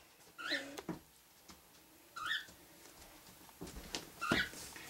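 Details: Pet male cockatiel singing indoors, kept with a female. Three short, clear whistled phrases come about two seconds apart, each a bright slurred note with a rising or falling bend, between quiet stretches with faint clicks and low room noise.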